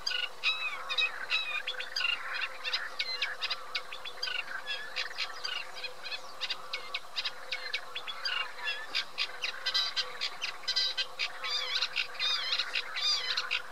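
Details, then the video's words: Eurasian reed warbler singing a steady, chattering run of rasping and clicking notes, each phrase repeated two or three times, over a faint low hum. "Cserregő nádiposzáta"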